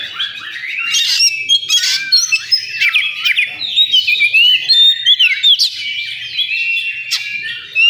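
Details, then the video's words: Oriental magpie-robin at a bird-singing competition venue, delivering a long, dense stream of varied whistles, swooping slurs and sharp clicks, with trills and ticks overlapping throughout. "Suara kacer di area lomba"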